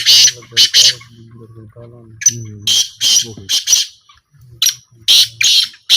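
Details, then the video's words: A black francolin gives harsh, grating, rasping notes in quick bursts of two or three, with a man's low voice speaking in between. "A Small Trial Of Black Francolin"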